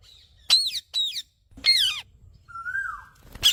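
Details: Indian parrot calling with loud, harsh screeches that sweep down in pitch, then a softer rising and falling whistle-like note near the end.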